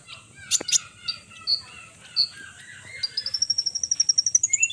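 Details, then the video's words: Scattered high thin notes from a konin bird give way to a fast, evenly spaced trill of piercing whistles that slowly climbs higher toward the end. "konin Rajo dan konin Edan bikin konin koninmu emosi"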